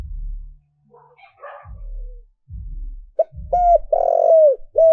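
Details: Spotted dove used as a decoy, calling to lure wild doves. Low dull thumps come first, then loud, hollow coos begin: short notes followed by a long, drawn-out coo that falls at the end.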